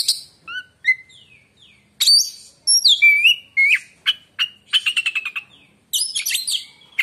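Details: Kacer, the oriental magpie-robin, in varied song: clear falling whistles, loud swooping phrases, a fast run of rhythmic clicking notes, then shrill high twitters; clean recording with no other sounds.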